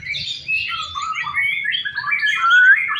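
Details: White-rumped shama at a practice singing contest delivering quick chattering warbles that end in a clear, rising whistled note, against a quiet background.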